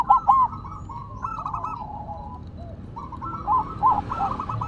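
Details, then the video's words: Silver zebra dove singing away on the ground: loud rolling coo notes at the start, then quieter rippling trills and a later group of bubbly coos, with other doves faintly cooing throughout. "Perkutut Silver Tetap Gacor Walaupun Ditaruh Tanah"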